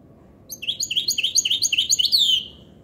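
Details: ['Song of a goldfinch hybrid: a quick series of bright, twittering, slightly rising notes, about five per second, ending in a longer, sweeping downward whistle.']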